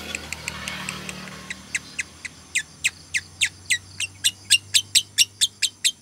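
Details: Female lovebird giving the "konslet" tired-tone call, used as a lure and as a master recording for other lovebirds to copy: sharp high chattering notes repeated about twice a second, growing louder, over faint low hum.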